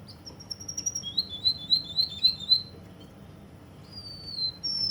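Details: Russian canary from Kuwait: a high whistle leads into a rapid trill of about eight identical chirped notes, followed by a pause and then long, high, slightly falling whistles.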